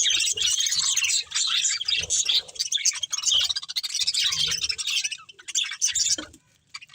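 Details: Budgerigars of a breeding pair and family chattering in bursts of high warbling chirps, with a squawky note near six seconds and the sound dropping away at the end.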